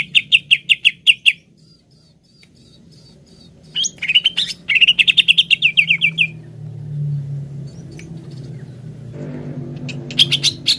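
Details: Greater green leafbird singing to rouse a kept bird into song: quick bursts of clear repeated whistles, a thin faint tone in a pause, then a longer rapid run, with low background rumble.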